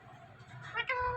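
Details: Indian ringneck parakeet mimicking a cat's meow: a drawn-out harmonic mew that rises then falls, sliding into a steady tone at the end over soft background hum.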